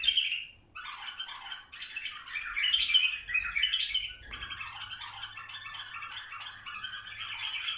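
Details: Chattering bulbul chorus to encourage breeding. A loud, squawky burst opens after a short gap, then many overlapping chirps and rattles continue steadily to the end.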